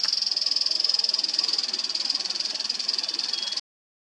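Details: A Chestnut-crowned bush warbler (Cettia major) in Mishmi Hills, Arunachal Pradesh, India, in April 2023 gives a thin, very high, buzzy trill of rapid pulses, held steady for about three and a half seconds before stopping.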